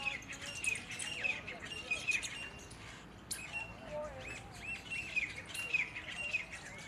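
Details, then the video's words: Myna calling: bright, short chirps repeated in loose bursts, some with a sharp upward flick, plus a few lower warbling, gurgling notes in the middle; faint background hiss throughout. "mynah call"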